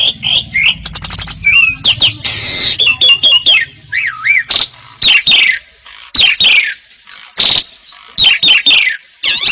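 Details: Song of an Asian pied starling (jalak suren), 'gacor' type: loud varied phrases of whistled swoops, harsh squawks and fast clicking bursts, roughly one phrase every two seconds with short silences between.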